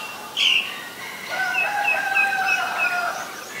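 A female Asian koel gives one sharp shrill note, then a quick run of high, clipped notes repeated about twice a second.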